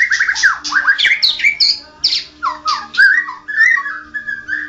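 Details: Chattering song of a champion white-rumped shama: a varied jumble of squawky, falling and rising whistled notes, some harsh and some pure, given in rapid uneven bursts with short gaps.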